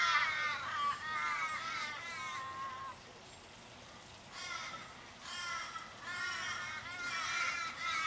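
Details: In Kellyville, Sydney, on 1 July 2012, 15 or more Australian ravens circle an injured, dying raven, possibly hit by a car, giving distressed long, wailing caws, harsh and quavering, each sagging downward, in two bouts.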